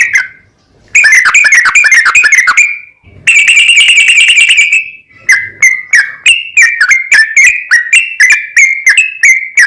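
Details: A yellow-vented bulbul's long, energetic song meant as a lure to set other bulbuls singing: an opening note, a dense buzzy rush of rapid notes, a second harsh run, then a steady series of clipped whistled chirps.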